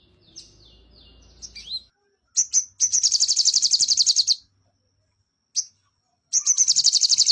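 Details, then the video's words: Sooty-headed bulbul in full song with high chattering notes, then a fast, steady trill lasting nearly two seconds. A brief silence follows, then a single note and another rapid trill. "Sogon Gacor Dorrrr Isian Mewah"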